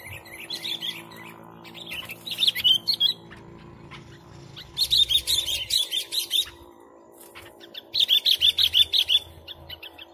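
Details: Sooty-headed bulbul singing for luring: three bursts of rapidly repeated, fluty chirping notes, each burst lasting a second or more, separated by short pauses over a faint steady hum.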